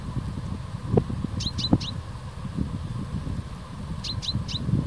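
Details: Common chaffinch (Fringilla coelebs) calling: two quick bursts of three sharp, high, falling notes, about two and a half seconds apart, over a steady low rumble and rustling.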